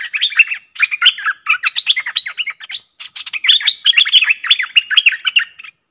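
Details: A pair of streak-eared bulbuls in a fierce song duel, 30 October 2021. Continuous loud bubbling chatter of quick slurred, warbling notes runs almost unbroken, with brief gaps between excited phrases.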